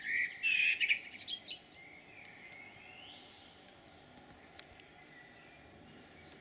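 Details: In Jūrmala, Latvia, on 11 June 2022, a common blackbird delivers a brief loud warbled phrase with a high twitter, then falls quiet except for soft distant notes and background hiss.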